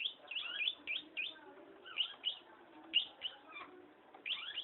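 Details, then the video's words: Energetic long-tailed shrike song, fairly soft: a jumble of thin whistles, quick slurred notes and twittering phrases running almost continuously. "burung pentet gacor"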